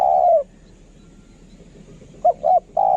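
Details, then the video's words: Spotted dove decoy bird. A long coo trails off at the start, followed by a quiet gap, then two short notes and the beginning of the next long coo. "นกเขาใหญ่ สายต่อ เสียงต่อหมานๆเสียงนกคารม"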